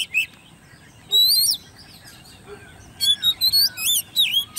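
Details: Competition singing from a caged, hand-reared Oriental magpie-robin aged ten months: a loud rising whistled phrase, a pause, then a fast string of looping whistles and sharp chips.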